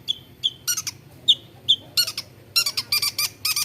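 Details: Long-tailed shrike, known for copying other birds' sounds, alternating thin squeaky whistled notes with harsh buzzy bursts, the rasping notes bunching into a rapid series near the end.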